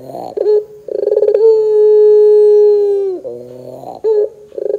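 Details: Barbary dove coo, pelung style, meant as bait to get other doves singing; rolling low notes, a pulsed lead-in, then a long even hum of about two seconds that falls off into throaty gurgles.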